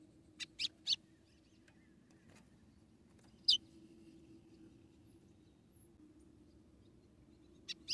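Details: A female white-throated seedeater in Rio Grande do Norte, Brazil, calls to excite the male. She gives brief high chips: a quick group of three, then one alone, then a pair at the end. A low background hum persists.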